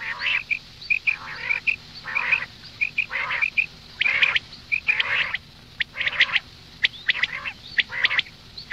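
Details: Female common quail giving rough, squawking calls in bursts roughly every second, each bracketed by short high pips; steady faint background hiss.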